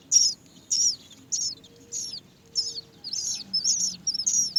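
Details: Hungry Great myna chicks waiting to be fed by their mother; high, thin, downslurred squeaks repeat roughly every half second, growing more crowded toward the end, against a quiet background.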